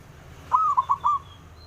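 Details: Male zebra dove (perkutut) calling so that rivals will reply. One soft phrase of a long coo and three shorter notes, somewhat quiet over steady low background noise.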